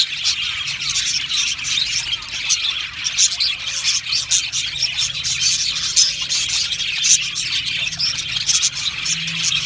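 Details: Budgerigar colony from Australia, a crowd of birds chirping and warbling nonstop, bright rapid notes layered over one another, with a faint low hum underneath.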